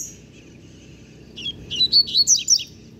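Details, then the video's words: Novice double-collared seedeater under one year old, singing its completed learned song: a quick run of five high, chirpy, slurred notes at even spacing, after a faint note at the start and a quiet pause. "Papacapim Novato Cantando Bitolado!!!"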